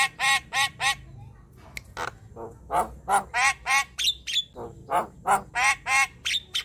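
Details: Black-winged starling, young bird, delivering a run of loud, harsh, nasal squawks repeated about three per second, with a brief whistled note mixed in.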